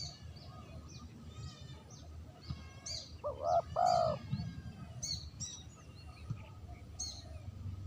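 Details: Spotted dove cooing as a lure sound: one two-part coo, short then long, stands out amid busy high chirps and trills from small birds.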